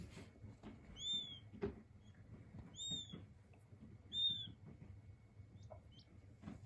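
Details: King quail chicks, their peeping described as calming: three clear, high, arched whistles spaced about one and a half seconds apart, with light clicks and rustles between.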